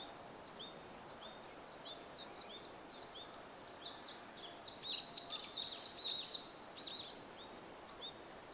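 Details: Above a bamboo grove in April 2014, a warbling white-eye gives scattered thin high chirps that swell midway into a brief, dense burst of rapid twittering warble before fading back to sparse notes against steady background hiss.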